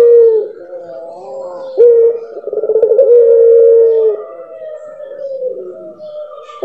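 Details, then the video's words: Puter pelung dove song with a distinct rhythm: brief held notes, a pulsing throbbing build into a long steady tone, then softer wavering harmonic coos trailing off. "9 Puter Pelung, suara dan karakter berbeda"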